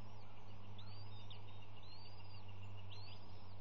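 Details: Faint, high, arched peeping notes from baby bald eagles being fed in the early morning, March 18, heard through a live nest cam above a constant low electrical drone.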